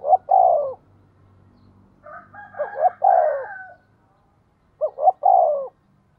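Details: Spotted dove decoy cooing fast to lure wild birds: repeated phrases of clipped hoots and a long falling coo, with a second, higher and rougher cooing voice overlapping in the middle.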